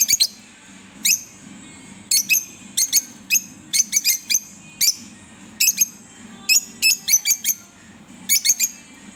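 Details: A green pair of pet Fischer's lovebirds chirping: sharp, high, clipped chirps, singly or in quick clusters of two to four, spread irregularly across nine seconds over a faint low hum.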